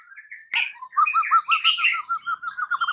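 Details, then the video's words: White-rumped shama afternoon song to provoke a silent bird: soft whistles, a sharp click, then a fast steady series of low notes, about three per second, under overlapping harsh chatter. "PANCINGAN Murai Batu SORE hari , langsung bikin Murai Batu bisu AUTO NGAMUK"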